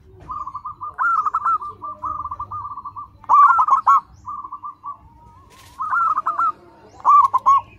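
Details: Local Indonesian zebra dove in full voice, a loud song used to prompt caged doves to sing: runs of quick stuttering coos near one pitch, several phrases over eight seconds, some louder and rolling, others softer and flatter, with low background hum.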